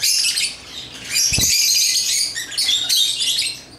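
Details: African lovebirds chatter while playing with toys, in a continuous stream of shrill, high chirps and squeaks, with a single dull knock partway through; finding: Lovebird.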